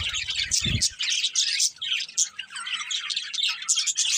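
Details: Budgies twittering in a dense high chatter of quick chirps and squeaks; a brief low thud sounds near the start.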